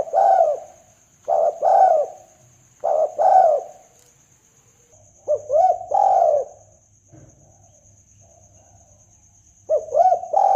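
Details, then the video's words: Spotted dove call used as a trapping lure for hunting: mellow cooing phrases of two or three throaty, bending notes, repeated in bursts every one to three seconds with pauses, over a steady high electronic whine and low hum. "pikat tekukur"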